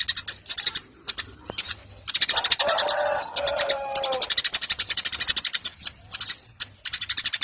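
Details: Eurasian tree sparrow chattering for contest-bird training: rapid, harsh high chirps in runs, while a lower, drawn-out tonal sound runs underneath for about two seconds in the middle.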